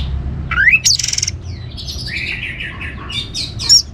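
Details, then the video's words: Orange-headed thrush singing to stimulate other birds: a rising whistle, a harsh rasping burst, then softer warbled phrases and a final sharp note, with faint low hum. "ANIS MERAH Gacor Untuk Memancing Burung Jadi NGeplong Bahkan Teler"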